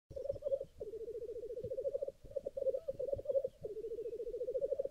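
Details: Black grouse at a lek in Sweden on a chilly, frosty morning, recorded with a Nikon Z6 II camera: continuous low, rapid bubbling rookoo phrases in long rolling runs with brief gaps, overlapping as several birds call.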